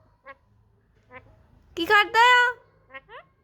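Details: Indian ringneck parakeet talking in a happy mood while enjoying the sun: a few short soft clicks and syllables, then two longer nasal, harmonic-rich spoken phrases, ending with brief chirped notes.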